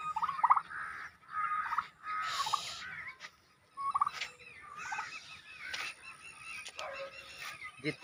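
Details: Turkeys gobbling in several short, stuttering, rattled bursts over a steady background hum, with fainter calls and noise between them.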